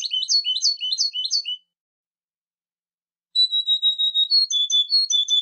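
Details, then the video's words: European goldfinch: a quick series of ringing twittered notes stops, and after nearly two seconds of silence a long level whistle leads into short stepping notes. No other sound is heard. "Carduelis carduelis"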